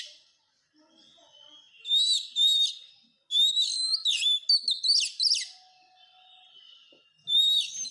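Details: Kacer, or Oriental magpie-robin, singing masteran to train caged birds: quiet thin whistles between loud bursts of rapid, varied whistled and chirping notes, the longest burst lasting about two seconds.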